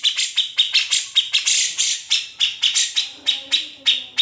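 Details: Unedited master song of a grey-cheeked bulbul, known for besetan, ngepik and ngetril phrases: steady stream of rapid, harsh clipped notes repeated several times a second, bright and scratchy, a faint lower whistle near the end.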